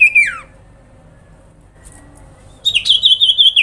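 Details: Grincingan call of a sooty-headed bulbul (sirpu) meant to trigger responses: a falling slurred note, quiet gap, then a bright rapid pulsed trill running to the end.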